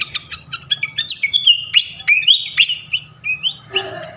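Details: A flycatcher sings a lure used to provoke rival flycatchers, with staccato chirps rising into bright, looping whistled phrases that slur up and down, ending in a brief rough, noisy note.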